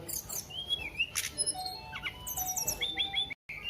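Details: Actively singing flowerpecker giving high, thin chirps, short rising whistles and quick stuttered trill series, closing with clipped repeated notes before a brief dropout; steady low background hum.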